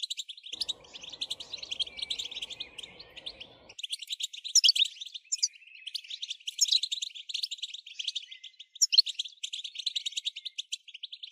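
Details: European goldfinch song for stimulating singing: long continuous high twittering with rapid trills and sharp chirps, and a low rustling noise in the background during the first few seconds.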